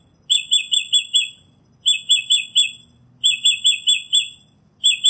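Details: Rapid sharp chirped notes in runs of four to five, the runs repeated four times with pauses of about half a second, from a northern mockingbird singing.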